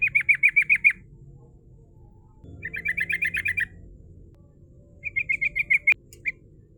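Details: Female yellow-vented bulbul singing in the rolling 'ngerol' style, kept as a lure that attracts rivals; three bursts of rapid, evenly repeated bright chattering notes, about six per burst, separated by short pauses, with faint low background hum.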